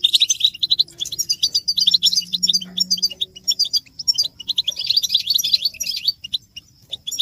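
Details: Goldfinches calling together to rouse silent males: lively high chips and twitters in two dense bouts, early and late, with a thinner spell and a low hum between them.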